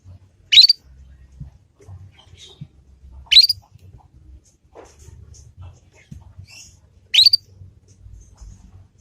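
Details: Young Yorkshire canary learning ngriwik, a lure for teaching other canaries: sharp rising chirps recurring about every three seconds, with soft clicks and faint low hum in between.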